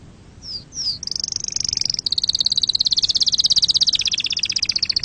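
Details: Canary song for teaching chicks and mating: two soft rising slurs, then a high, fast, continuous trill of rapidly repeated notes lasting several seconds.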